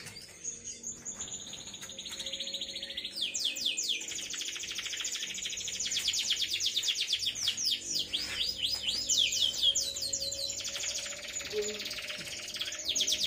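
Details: About three months old, this caged canary sings a long unbroken roll: a quiet high tone, then some ten seconds of very fast, ringing trills with slight pitch changes, an example of long 'ngerol' singing.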